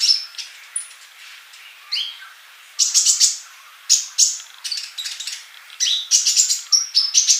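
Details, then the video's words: Olive-backed sunbird male, chatty and singing, offered as a song model for young birds not yet singing: sparse high notes and a rising slur at first, then fast bursts of sharp twittering chirps and whistles. "Kolibri Ninja Jantan Gacor buat masteran yang masih bisu"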